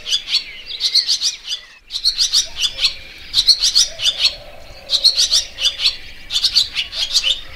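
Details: High, rapid chirping from a barn swallow, grouped in repeated one-second bursts separated by brief gaps, with soft low background noise.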